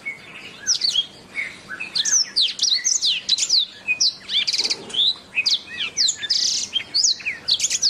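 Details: Canary singing in a masteran for training birds: continuous high twittering of rapid whistled sweeps, a rattled trill near the middle, a buzzy patch, and steady chirped phrases throughout.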